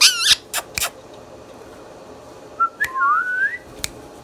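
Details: Indian ringneck parrot kept as a pet starting with a rough voice-like burst and clicks, then after a pause a short note and a long wavering whistle climbing upward.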